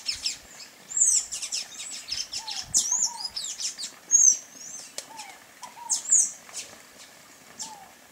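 Sayaca tanager giving rapid, very high, thin squeaky notes and short chittering phrases, irregular and almost continuous, with a few lower whistled slurs mixed in.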